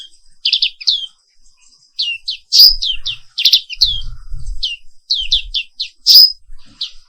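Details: Pleci Papua Wiklus, the black-capped white-eye, in morning song: fast runs of high chirps and falling slurs with several loud piercing accents, faint low thumps in the background.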